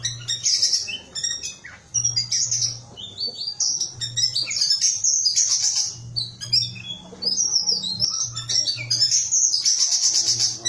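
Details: Small whistling thrush singing a long, varied sequence of high warbled and whistled phrases broken by short gaps, with a low intermittent hum in the background.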